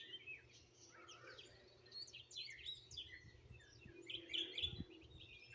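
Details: Mixed chorus of wild birds singing in Greenville, South Carolina, captured on a phone: busy high chirps and whistled trills overlapping, with soft low knocks and hum beneath.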